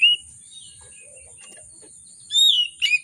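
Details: Excited oriental magpie-robin singing as a lure for birds that rarely sing; a short whistle opens, a long pause follows, then a loud downslurred whistle and a quick chattering note close, over a faint steady high tone.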